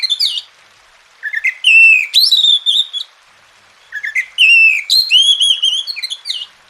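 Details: Masteran song of an Oriental magpie-robin, meant to get quiet birds singing: two long phrases of rising whistles that level into sustained ringing notes, with silent gaps between them.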